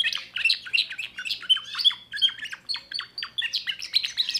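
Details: Young timbrado canary from 2024 singing in steady bursts of sharp, slurred chirps mixed with short pure whistles, with each phrase repeated at a brisk even pace.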